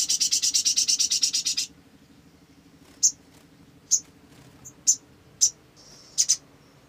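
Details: Lure recording of an olive-backed sunbird: a fast, buzzy rattling trill of about sixteen pulses, then a pause and a series of short, sharp high chips, one doubled.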